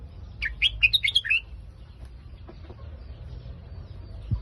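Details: Red-whiskered bulbul giving a single quick Phetchaburi-style phrase of about seven sharp, warbling notes in the first second and a half, then a low rumble with only faint sounds.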